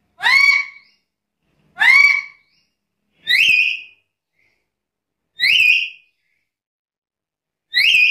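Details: Chatty black-capped lory repeating a loud, ringing whistled call five times, roughly every one and a half to two seconds, each note rising sharply then holding and fading, with silence between calls.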